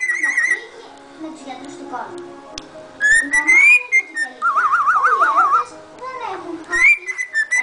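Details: Cockatiel (Nymphicus hollandicus), pet bird about 5 months later, running around on a carpet and singing: a whistled tune of clear rising notes and a fast wavering trill, mixed with chattering sounds.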